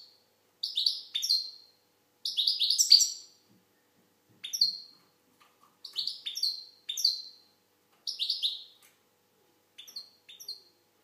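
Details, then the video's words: Algerian goldfinch singing in bright, twittering bursts, each phrase a quick cluster of high buzzy and trilled notes, delivered in about seven separate spurts with short silent pauses between them; no other sounds. "Chardonneret algérienحسون. مقنين"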